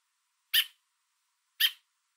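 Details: American robin parent perched on a fence with food in its beak, calling to its fledgling below and warning an intruder away, Niagara area, Southern Ontario, Canada: two sharp, loud, harsh notes about a second apart, otherwise quiet.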